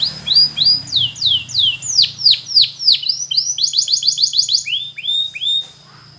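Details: Training song of a Belgian canary for young birds learning to sing: steep down-swooping whistled notes repeated about three times a second, then a rapid rattling trill and sliding notes, over a low steady indoor hum.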